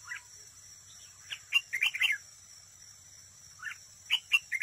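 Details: Decoy red-whiskered bulbul in trap singing duels, close by: jumbled clusters of warbled, slurred whistles, a short gap, then more quick notes, over a faint steady high tone.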